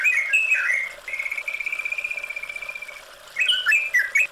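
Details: Yellow-vented bulbul (trucukan) song over running water, used as therapy to bring a stressed bird back into full song: whistled notes near the start, a long steady buzzy trill, then quick bright whistled phrases.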